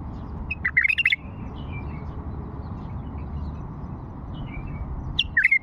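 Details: Bulbul singing a Fawi-style phrase twice: a short, lively run of clear slurred whistles, then quiet faint notes, and the phrase begins again at the close, with low steady hum beneath.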